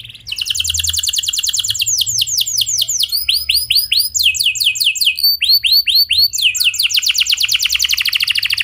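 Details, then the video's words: Canary, a clear rolling 'gacor' singer used as a lure to get other canaries singing: fast trills of high notes shift into phrases of downward-swept whistles, then back into rapid buzzy rolls, continuous and loud. "Pancingan Efektif Banyak Burung Kenari Cepat Ikut Gacor Dengan Suara Kenari Gacor Ngeroll Jernih Ini"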